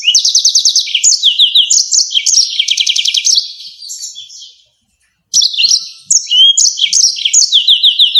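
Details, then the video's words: Yellow-fronted canary in rolling, sharp-shooting song style (ngerol nembak tajam), used as a tutor for songbirds: loud, high, rapid buzzy trills and sharp chirped phrases in quick succession, briefly fading to silence midway before resuming. "YELLOW FRONTED CANARY‼️ NGEROL NEMBAK TAJAM"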